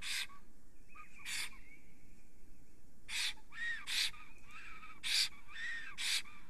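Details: Male Estonian black stork, extremely excited by a female near the nest, morning of 30 April 2020; harsh breathy bursts in pairs with short clear whistled notes between them, after a quieter gap with a faint drawn-out tone.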